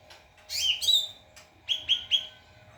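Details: White-rumped shama song for training other birds: a rich slurred phrase followed by three quick identical upswept whistles, with a low electrical hum underneath.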